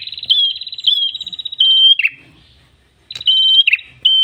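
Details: Red-headed tailorbird's long-drawn song, used to lure and tutor other birds: sustained high whistles with rapid flutters, then abrupt falling slurs, a brief silent pause, and another steady whistled note.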